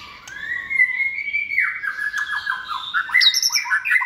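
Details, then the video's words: Caged second-season white-rumped shama, hand-raised from a nestling and sold as a bold, varied competition singer, delivers a long rising whistle that breaks into a fast run of clipped, descending notes and bright high flourishes. "chòe lửa dáng sẻ, hót cực bền nết chuẩn đấu giàn"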